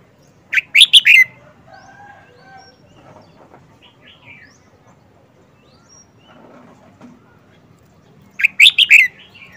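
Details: Caged Red-whiskered Bulbul, an old wild-caught bird kept four months, delivers its distinctive phrase twice: quick clusters of loud, sharp, tinkling notes near the start and end, faint distant chirps and murmur in between.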